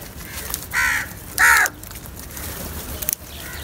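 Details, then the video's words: Crows feeding together: two loud, grating caws in quick succession, the second stronger, followed by quieter background noise and a faint click. "Crow Sounds"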